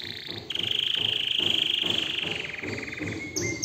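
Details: Canary in song holds a long, even, rattling roll on one high pitch that slowly softens and drops slightly. A couple of brief higher notes close the phrase.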